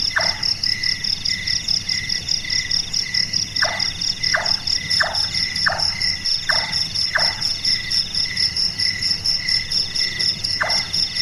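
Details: Night-active large-tailed nightjar (burung tukang) giving hollow, hammer-like knocks, said to resemble someone doing carpentry. A run of six evenly spaced notes comes mid-clip, with single knocks at the start and end, above constant shrill insect buzzing.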